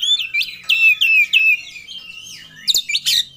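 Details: Oriental magpie-robin singing with full emotion while seeking a rival: a run of bright whistled notes sliding downward, a softer drawn-out tone, then sharp high chips at the end.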